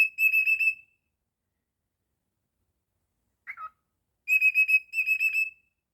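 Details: Pet cockatiel whistling indoors: a clear, high warbled whistle phrase of quick pulsing notes lasting about a second, a short chirp after a pause, then two more fluttering whistled phrases close together, with a quiet background.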